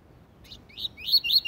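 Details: Double-collared seedeater singing the tui tui zel zel song style, used to tutor young birds; a soft high note, then a run of loud rising-and-falling whistled slurs in quick succession.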